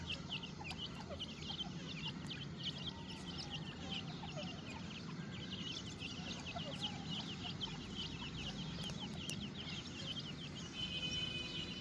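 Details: Captive grey francolin chicks in a breeding cage during breeding season, active and feeding, give a dense stream of short, high chirps and peeps that overlap throughout, with a steady low hum and rustling in the background.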